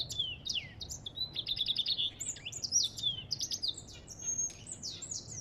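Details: An African goldfinch pours out a lively song of rapid chirps, short buzzy trills and descending whistled slurs, continuous throughout.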